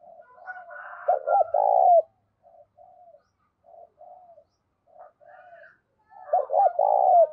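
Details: Spotted dove trapping lure: loud phrases of clipped coos ending in a long coo open and close the clip, with softer short coos between them and higher chirping birds in the background.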